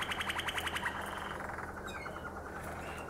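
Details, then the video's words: Harzer Roller or Malinois Waterslager canary from Xanthi, Greece. A rapid rhythmic roll of bubbling notes opens the clip, then eases into softer, lower trills and a thin drawn-out whistle, with a constant low hum behind it. "Harzer Roller canary & Malinois Waterslager"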